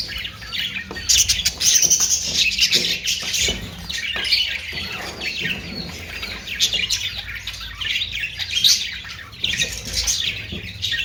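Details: Australian parrot (budgerigar) chatter: a long, busy stream of high twittering, scratchy squawks and whistled chirps, swelling and easing throughout, with faint background hum.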